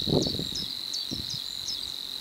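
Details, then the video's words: A Savi's warbler (Locustella luscinioides) reels: an unbroken, fast, insect-like buzz on one steady pitch, with thin high chirps from another bird and low thumps early on. "Savi's Warbler"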